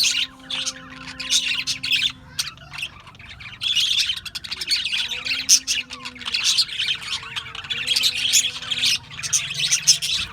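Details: Australian budgies chirping: waves of busy high twittering and squawks from many birds, a quieter lull just after two seconds, then chatter building again.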